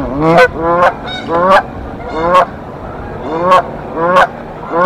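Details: Canada geese defending their nest against an intruder goose in Decorah, April 2024. Clear, ringing honks with rising pitch, some paired, repeat at irregular intervals over a steady low rumble.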